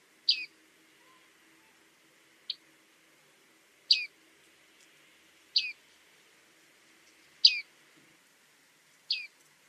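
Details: Bearded reedling calling: clear, high, downward-slurred 'ping' notes spaced a second or more apart, with one shorter clipped note, over a faint steady hiss.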